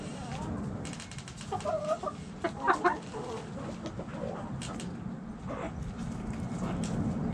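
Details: Backyard hens clucking, with clusters of short stacked clucks in the middle and softer scattered calls over a low steady rumble.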